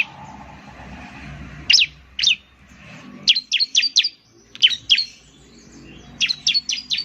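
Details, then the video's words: Ciblek song for luring: scattered high chirps building into runs of four to five quick, sweeping notes, with low murmur underneath. "Suwara Burung Ciblek || Ciblek bird lures, the sound of the gacor immediately picks up"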